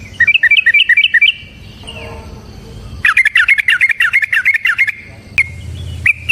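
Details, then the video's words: Sooty-headed bulbul (trucukan) singing a varied, lively song used as a lure to get other bulbuls singing: bursts of bubbly, warbled notes wavering up and down, with a quieter gap before a second rapid run and a few short final notes. "Suara Burung TRUCUKAN gacor ROPEL VARIASI NROTOK NGECUPLIK pancingan trucukan agar JADI trucuk GACOR"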